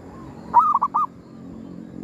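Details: Zebra dove used to lure wild birds during a cemetery hunt. A single crisp cooing phrase of three soft, quick notes, with light background hiss.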